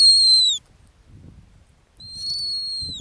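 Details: High, clean whistled calls from a female snowy owl nesting on Arctic ground: a short falling note, a pause, then a longer, nearly level whistle that drops at its close.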